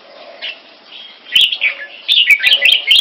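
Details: Caged red-whiskered bulbul, a champion-bloodline mutant crossbreed, singing against a rival. Quiet warbling at first, then loud rapid bubbling phrases with bright whistled notes, punctuated by several sharp cage clicks.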